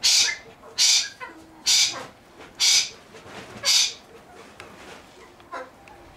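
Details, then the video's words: Silver pheasant kept at a pheasant breeding nursery: five loud, harsh, hissing bursts, each about half a second long, repeated roughly once a second, then softer fainter notes trailing off. "СЕРЕБРЯНЫЙ ФАЗАН, LOPHURA NYCTHEMERUS"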